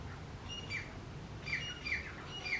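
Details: Grey francolin male and female calling loudly together, a series of harsh, high, squawking notes repeated about every half second, growing stronger toward the end over a low rumbling background.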